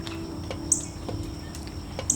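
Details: A male Northern Cardinal at a backyard bird feeder in Central Florida chirps: two brief, sharp, high chips about a second and a half apart, over a low steady hum and faint ticking.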